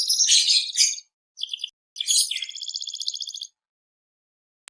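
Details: Canary song, described as gacor, in broken fragments: a harsh jumbled burst, a brief stutter, then a fast rattling trill before silence.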